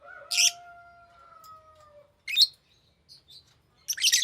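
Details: Green lovebird giving sharp, buzzy, high chirps, three main bursts over four seconds, while a steady, slightly falling tonal whistle sounds underneath for the first two seconds.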